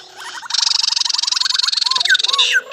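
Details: Laughingthrush: a quick series of short rising chips runs into a dense high buzzy rattle, with a few arched whistles near the end.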